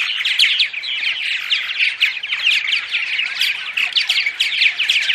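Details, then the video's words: Purple martin morning chorus meant to lure martins to a colony house: many birds giving continuous croaking chirps, gurgles and rattly twitters in a thick, unbroken wash of sound. "Morning Vocalizations CD (6 hour loop) - Attract Purple Martins"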